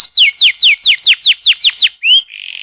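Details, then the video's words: Canary in full song, used as a training lure to get young canaries singing quickly: eight fast, high descending slurred notes in a steady series, a short rising whistle, then a buzzy sustained trill. "MASTERAN Kenari Paud CEPAT Bunyi‼️ Pancingan KENARI GACOR DURASI Panjang Ngerol"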